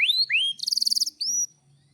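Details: Canary song fragment meant as a singing lure: two upward-sweeping whistles, a fast buzzy rattle, then another rising whistle.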